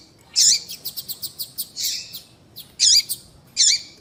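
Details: Female double-collared seedeater calling to attract males. A loud buzzy chirp is followed by a rapid string of short high ticks and a longer note. Two well-spaced loud chirps end the sequence.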